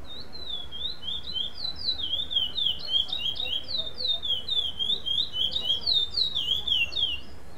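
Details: Chestnut-bellied seed finch, black bird, performing non-repeating song at a Limeira, Brazil contest where it placed second: a long flowing sequence of clear whistled up-and-down notes, about three a second, steady and unbroken.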